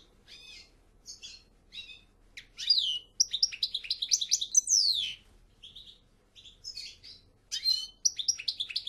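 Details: European goldfinch giving scattered chirps and short twittering bursts, with a louder stretch of rapid tinkling notes and downward-slurred whistles in the middle.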